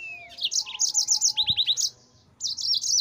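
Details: Yellow-fronted canary, a caged bird singing a master song for training other cage birds: fast high trills of repeated sweeping notes with a brief pause near the end, then renewed trilling.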